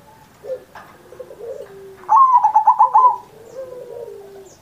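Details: Zebra dove, a pet bird in steady song on Indonesian Independence Day, used to prompt other doves to sing: soft low coos, then a loud rapid series of stuttering coos, fading into a long low coo.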